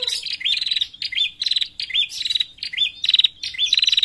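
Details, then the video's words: A female bar-winged prinia gives a lure call: quick, high, sweet chirps that rise and twist, about three a second in an unbroken run, with no other sounds behind. "Panggilan Suara prenjak betina"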